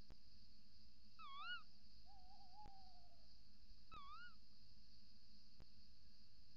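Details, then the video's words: Tawny owls at a nest box before dawn, 28 December 2018: female calls from the entrance hole on camera while male calls outside; two short wavering rise-and-fall calls about three seconds apart plus a longer steadier lower note, over electronic whine. "Bosuil, V roept in vlieggat/op de cam, M roept buiten"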